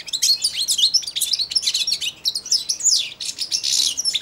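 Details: Young European goldfinch, four months old, kept in a cage, giving subsong beside and on the hand that feeds it each day; continuous fast high chattering with buzzy trills and sharp twittered notes throughout.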